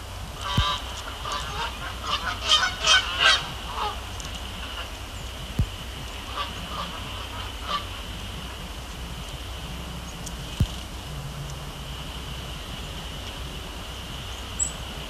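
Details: Canada geese on the ice of Sapsucker Woods Pond at sunset in winter: a short burst of several harsh honks in the first few seconds, then a few scattered calls over a steady background hiss.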